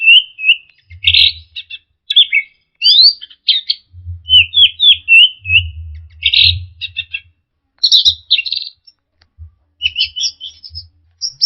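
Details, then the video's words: Orange-headed thrush song as a lure for birds that have stopped singing under stress: a varied string of sharp whistles, burry chatter and rising and falling slurs, delivered almost continuously with brief gaps, some low rumbling underneath. "pancingan Anis merah setres dan macet bunyi"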